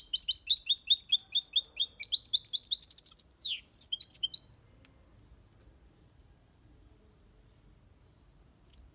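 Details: European goldfinch in an aviary singing the Malaga copy: a continuous run of bright, rapid twittering for over three seconds ending in a buzzy flourish, then silence and a final chirp.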